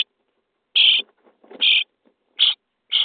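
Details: Common starling nestling in a nest box, day 23, at feeding: four drawn-out harsh rasps, with faint soft rustling sounds in the gaps.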